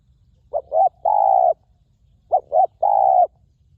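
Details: Wild spotted dove at a ground decoy with a notably resonant voice: two identical phrases, each two quick short notes followed by one long, steady, mellow coo, about two seconds apart.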